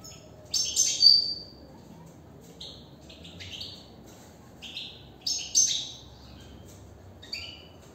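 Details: Caged European goldfinch twittering in bursts: sharp high tinkling notes mixed with short buzzy slurs, grouped into phrases about every two seconds with quiet gaps between, background otherwise quiet.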